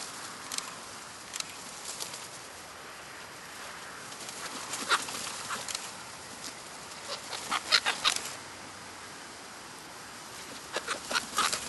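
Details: Black-headed gulls recorded in July 2009 in the New Forest, Hampshire, England: scattered harsh, grating calls from several birds, some overlapping, loudest in a cluster of rapid cries toward the latter half, with a constant outdoor hiss beneath.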